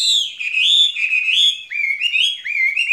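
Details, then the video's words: A skylark in a cage sings in spring: smooth, high whistled warbles with upward-sweeping slurs, flowing continuously. "Chim quý ở lồng son ca bản tình ca mùa xuân"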